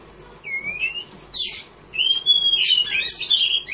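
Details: Contest-caged Oriental magpie-robin gives a few pure rising whistles, then scratchy bursts and a long sustained whistle leading into rapid chattering notes.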